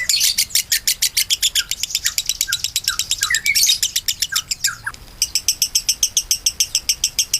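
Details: Lovebird in long konslet-style song, suited as master material for songbirds: rapid, harsh chirps in a steady rattling series, some notes sliding downward midway, a short pause, then the fast chirping resumes evenly.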